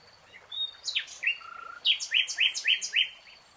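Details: Nightingale singing in a lush green forest: a few sharp downward notes and a short flat whistle, then a run of six loud, evenly repeated chopped notes, about four per second.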